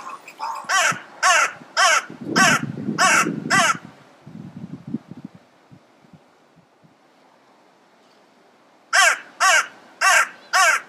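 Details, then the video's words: Crow calling close by: a run of harsh, hoarse caws about twice a second, a low rattling, grating stretch in the middle, a few seconds of quiet, then four more loud caws in quick succession. "Crow singing for me / Kråkan sjunger för mig"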